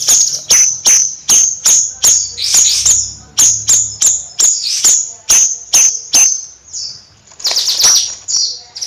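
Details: Bayeman bird singing nyrecet: regular piercing high ticks about every 0.4 seconds, occasional fast falling trills, fading to softer chatter near the end.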